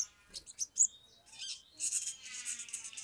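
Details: Agitated Sumatran leafbird singing, meant as a lure to get birds singing: fast scratchy high chatter with a thin whistled slide, building into a continuous rasping warble.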